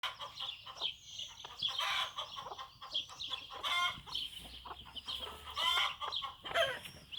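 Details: Bantam hen with her chicks as they take their first steps outside in a backyard: soft, irregular low clucks from the hen mixed with thin, high peeping from the chicks, plus scratchy rustling throughout.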